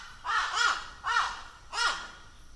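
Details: Raven of Australia, Oceania and Southeast Asia calling three times: drawn-out, hoarse, bleating caws roughly half a second apart, over a faint background hiss.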